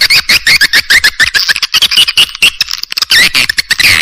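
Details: Swiftlet lure call built from several clear swiftlet voices: dense, harsh twittering chatter of overlapping chirps and rapid clicks, shrill and continuous with brief gaps.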